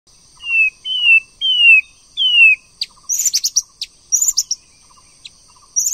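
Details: {'caption': 'White-rumped shama, a female used to stimulate a male to sing: four clear whistled notes sliding downward, one after another, then a burst of high scratchy chattering notes and short chips.'}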